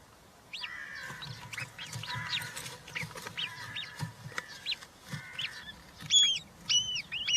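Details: Nest of European rollers holding three chicks, 20 June 2023, live camera during feeding with a giant grasshopper: rapid series of short rising-falling squeaks in a steady run, then louder high arched calls near the end.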